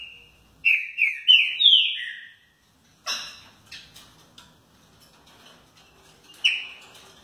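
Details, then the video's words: A kept Green-winged Saltator in Rio de Janeiro gives a quick run of four or five loud, clear whistled notes sliding downward, then a rough, harsh burst, then one more bright whistle. "Trinca ferro"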